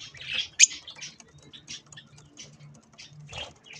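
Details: Budgies while eating strawberries; a loud sharp chirp early, then scattered soft twittering notes and faint chatter above a low hum.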